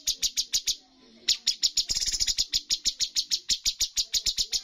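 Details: Full 'tembakan' bulbul song at a bird competition: rhythmic high, clipped notes, a short gap, then a fast rattling run and continued steady chipping.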